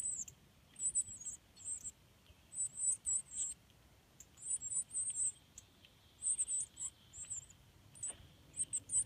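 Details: Northern cardinal nestlings in the nest, being fed and raised by both parents: thin, very high chirps in quick clusters of two to four notes, bursts repeating every second or so across the whole stretch over a faint steady hiss.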